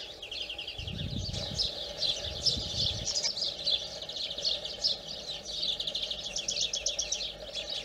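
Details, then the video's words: A European greenfinch (Carduelis chloris) sings a steady run of fast twittering trills and chirps, high-pitched and continuous, over a low background hum. "Le chant du Verdier / The Greenfinch song"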